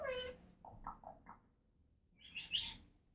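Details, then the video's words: Female African grey parrot at home, making noises: a low croak, a run of short muffled chuckling notes, then a high squeaky chirp. "African Grey Talking and Making Noises"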